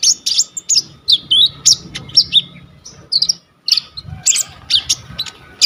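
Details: Kolibri ninja, or purple-throated sunbird, in full varied song meant as training material for other birds: high squeaky notes and sweeping chirps in quick irregular clusters, with a short gap midway and low background rumble.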